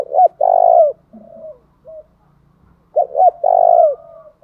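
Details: Spotted dove calling to provoke a wild dove into singing: two loud bursts of low, hollow coos, each with short clipped notes then a long drawn-out coo, separated by softer, quieter cooing notes.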